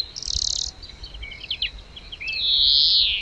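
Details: European greenfinch in the wild giving a song fragment: a harsh, buzzy burst, then a few scattered twittering notes, ending in a long, drawn-out nasal wheeze held for nearly a second.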